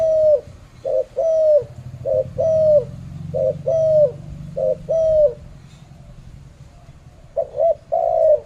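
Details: Spotted dove cooing in Malaysia: low soft coos in paired short-then-long phrases repeated steadily, a brief pause, then the pattern resumes; faint low hum beneath.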